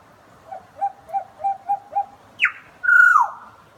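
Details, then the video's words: Butcherbird song: five short mellow whistled notes at an even low pitch, then a steep descending slur and a loud, slightly rough whistle falling at the end. "Butcherbird love song"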